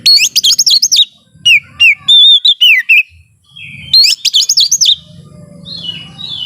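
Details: Domestic white-rumped shama singing strongly: loud rapid warbled phrases with sharp high notes, clear whistles and slurred descending notes, the phrase repeated after a pause, with low background hum.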